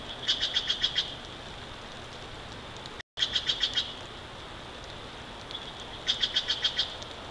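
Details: Bald eagle calling at its Big Bear Valley nest, seen on a wide-view live stream on 29 March 2023 in the morning; three separate bursts of five to six quick, high, yelping notes, with quiet hiss between.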